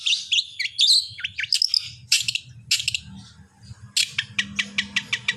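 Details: Long-tailed shrike singing, recorded to prompt other shrikes into song: a jumble of high warbled and chattered phrases, then a string of evenly spaced sharp clicks.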